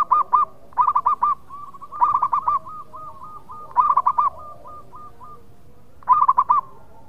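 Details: Loud local zebra dove song for luring birds in breeding condition: repeated short bursts of rapid cooing notes every second or two, overlapped midway by a softer bird giving a steady string of coos.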